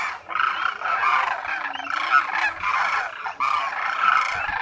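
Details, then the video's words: Demoiselle cranes, locally called koonj, wintering in great numbers at a lake near Khichan in Rajasthan's Thar Desert, India; continuous rolling, hoarse trumpeting from a large flock, calls overlapping without pause. "DEMOISELLE CRANES of KHICHAN at the lake in THAR Desert | RAJASTHAN 🇮🇳 INDIA | BIRD sounds | KOONJ"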